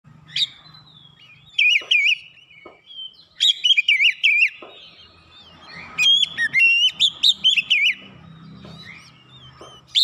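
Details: Oriental magpie-robin song played as a lure to provoke rival birds: bursts of loud, warbled whistles wavering around a high pitch, separated by quiet gaps, with faint low hum beneath.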